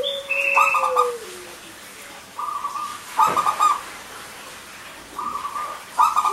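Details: Local zebra dove song, used as a lure for silent males and females: short pulsed, buzzy bursts repeated about every three seconds, overlapped by higher whistles from other birds and a long, slowly falling low whistle.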